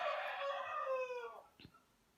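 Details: Rooster crowing repeatedly in the background, interrupting indoor crochet work; a loud harmonic crow slides downward and fades after about a second and a half, followed by a faint click.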